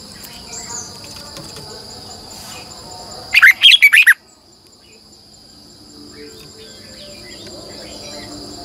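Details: Red-whiskered bulbul decoy singing in the morning in a double, long twisted voice style, used to train birds and call in wild ones: one quick burst of five loud warbled notes amid a steady high hiss and faint background chirps.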